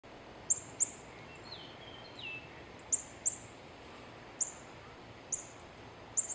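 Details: Female northern cardinal giving very high, sharp, metallic chip notes, singly and in quick pairs, with a couple of soft slurred whistles from another bird in between.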